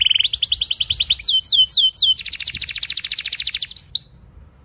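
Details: A canary singing hard, recorded to train young canaries: a rising trill, several looping downward-sweeping notes, then a fast buzzy roll that ends in one high note.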